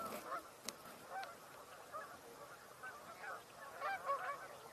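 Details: A flock of geese on 19 October 2024, suddenly vocalizing among ducks and a mute swan, honks in overlapping nasal bursts, several calls a second rising and falling, over a steady wind-like hiss.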